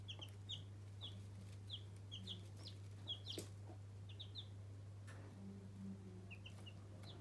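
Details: Baby chicks kept as pets giving high, quick, falling peeps, several callers at once, with a steady low hum and a few soft knocks.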